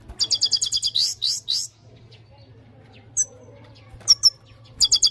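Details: Bright, high goldfinch twittering in a fast burst of about a dozen notes, a pause with only faint background, then scattered single chirps and a final short twittering run.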